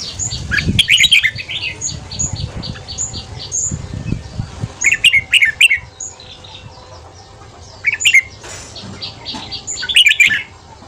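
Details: Rapid morning ché song of a red-whiskered bulbul, used as a training voice for newly caught birds: loud chattering warbled bursts recurring every few seconds, with soft wing flutters and many thin high whistles from other birds.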